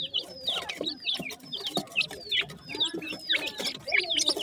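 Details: Partridge chicks at a feeding, steady series of high downward-slurred peeps about three to four per second, overlapping voices, with faint lower clucking in the background.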